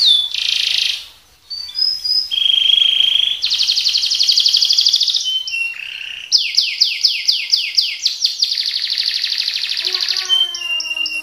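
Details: Canary song, described as a lively speed-roll and shot style. Rapid buzzy rolled trills, a low tone and a run of fast falling sweeps repeat through the phrase, ending in thin descending whistles.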